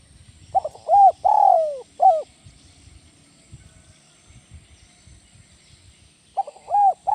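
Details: Spotted dove, 'kuk 1 melambung' song style: one full cooing phrase ending in a long falling note and a short coo, about four seconds of faint rustling, then the start of another phrase.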